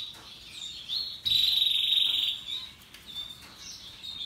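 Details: Russian yellow and Timbrado canaries singing happily: thin high trills and twitters, with a loud sustained rolling trill in the middle, softer chattering around it.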